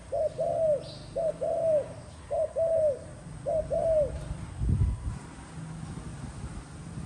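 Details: Spotted dove calling four times in quick succession, each phrase a short coo then a drawn-out arched one, followed by a dull thump and quiet background.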